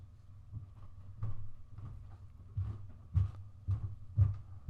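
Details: Soft irregular low thumps and handling knocks over a faint steady hum, with no animal sound.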